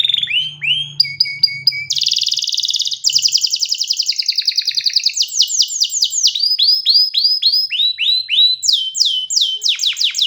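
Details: Canary in full song, run through a varied sequence of tours: repeated down-slurred whistles, a dense buzzy trill, then rapid rising and falling notes and clear swooping phrases, all high-pitched and rapidly repeated.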